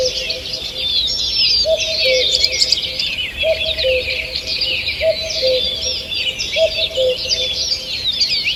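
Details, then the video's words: Morning chorus of forest birds recorded 2 June 2023: busy high-pitched twittering and rapid whistles throughout, over a steady low double note returning roughly every one and a half seconds. "Утреннее пение птиц"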